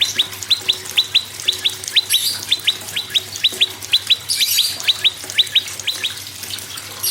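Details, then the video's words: Prinia singing, used to prompt other caged birds to sing: a long series of sharp, steeply falling high whistles, mostly in quick pairs, repeated about twice a second over steady low hum. "PRENJAK LUMUT GACOR PRENJAK KEPALA MERAH GACOR"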